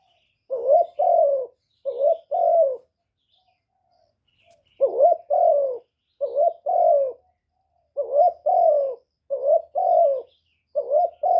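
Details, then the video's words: Lure call of a spotted dove, meant to rouse male doves into calling, recorded without noise: deep mellow double coos repeated in a run, a pause of about two seconds, then a longer series. "Tiếng chim cu gáy mồi chuẩn kích bổi mỗi ngày, tiếng cu gáy gọi.cu gáy kích trống.cu đất gáy.Cu cườm"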